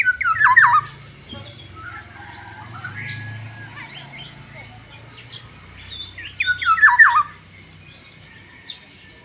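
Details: Black-naped oriole, described as fierce, giving two loud, fluty, warbled phrases about six seconds apart. A thin steady high tone runs throughout, and faint chirps from other birds fill the gaps.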